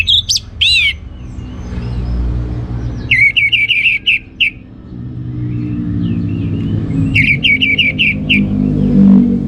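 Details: Orange-headed thrush ngeplong song with a few loud sweeping whistles at the start, then two runs of quick, evenly spaced chirpy whistled notes about four seconds apart, over a steady low engine-like rumble.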